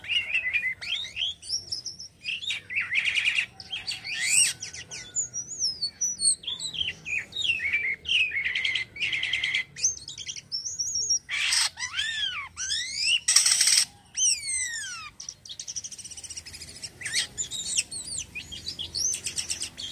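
A cotton myna sings a busy, varied run of whistles, chirps and sweeping slurred notes.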